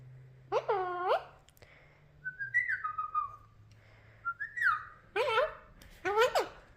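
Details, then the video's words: Alexandrine parakeet indoors, speaking in a rasping, harmonic-rich voice with short phrases like "what you doing" and "hello", mixed with gliding whistles that drop in pitch. A steady low hum runs underneath. "Alexandrine Parrot Talking"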